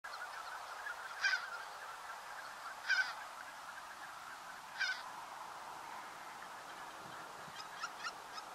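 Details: Greater white-fronted goose (Anser a. albifrons) in Uitkerkse Polder, Belgium, January, giving three high, yelping calls about two seconds apart over a steady background hum, then a few fainter short notes.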